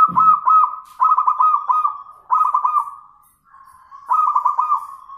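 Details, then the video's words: Zebra dove responding to a lure bird with loud rolling coo phrases, each a quick string of bubbling notes on one pitch, repeated in four bursts separated by brief soft hums. "Perkutut Manggung"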